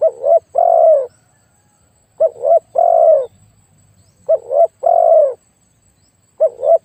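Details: Decoy spotted dove, praised for a very big voice, giving repeated low cooing phrases: a stuttered double note followed by a long, slightly falling coo, roughly every two seconds in a quiet setting.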